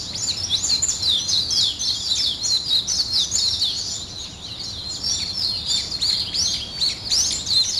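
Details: Morning chorus of birds: fast, jumbled high chirps and trills, several notes per second, swelling and dipping in loudness but never stopping.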